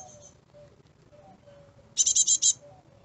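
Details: Fledgling great tits in a UK garden give a brief run of five sharp, high, rasping chirps after a quiet stretch, preceded by a couple of faint high notes and a low tonal hum.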